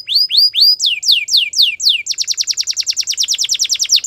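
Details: Belgian canary singing in the morning: a loud, fast series of repeated downward-sweeping whistled notes, first slower slurred phrases, then a rapid trill of about a dozen crisp notes per second, no other sounds.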